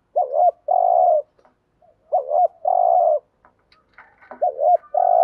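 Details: Lure recording of a spotted dove's coo for attracting wild doves: three phrases of a quick wavering note leading into a sustained mellow coo, with faint chirps in the background near the end.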